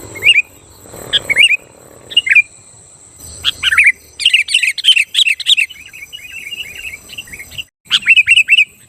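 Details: Sooty-headed bulbul singing to goad rival bulbuls, giving scattered whistled phrases, then a fast run of chattering, bubbly notes, and a final looping whistle, with a constant high whine behind.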